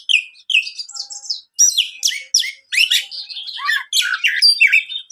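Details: Champion Oriental magpie-robin in an agitated state, singing loud varied phrases of rich whistles, slurred sweeps and harsh scratchy notes separated by brief pauses, in an otherwise quiet setting.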